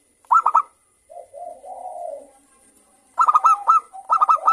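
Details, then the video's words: Kept local zebra doves sing in response to one another, a lure to get another bird singing: a short burst of bright clipped coos, a low soft purring coo, then two more quick ringing bursts. "Perkutut Lokal Gacor Suara Rame saling Bersahutan Pancingan Merangsang untuk Cepat BUNYI."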